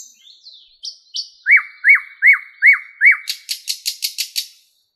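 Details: Male song of the thrush nightingale, Moscow park, 08:15, 11 May 2016: high whistled notes, five regular repeated downslurred whistles, then a quick series of about seven loud clicks.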